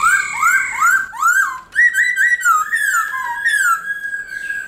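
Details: Laughingthrush, black-throated, singing forest-style phrases to stimulate other birds: rapid rising whistled upslurs repeated about twice a second, then a flowing chain of clear warbled notes.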